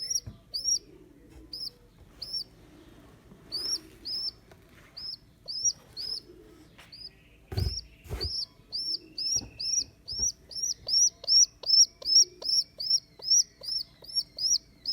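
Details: Baby rock pigeon in care after being abandoned by its mother: sparse high squeaks at first, a burst of fluttering or handling noise midway, then a quickening, louder series of thin arched peeps.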